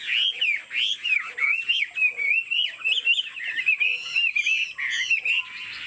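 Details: Pet Chinese Hwamei displaying with wing play and head-nodding 'lion dance' while singing: a continuous, loud stream of warbled, looping whistles, fluid and varied, barely pausing for breath.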